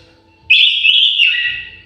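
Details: One continuous sweet whistle from an aviary-kept orange-headed thrush, holding a steady high pitch before stepping down to a lower, fading note near the end.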